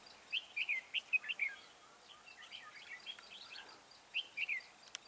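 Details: Trapping decoy red-whiskered bulbul calling in wild birds with high, soaring song; a fast burst of chirpy warbled whistles, a quieter stretch of softer notes, then another bright phrase near the end.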